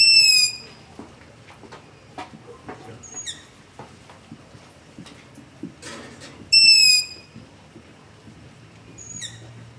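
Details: Long-eared owl begging calls recorded at night near a house with a ZOOM H5 and LOM Usi Pro: high, squeaky drawn-out screeches, two loud ones about six seconds apart and fainter ones between, over quiet background noise.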